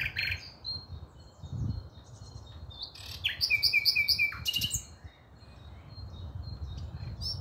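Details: Song of a common nightingale, recorded 5 May 2023: scattered high whistles and clicks, then a short run of rapid repeated bright notes, then quieter fragments against steady low rumble.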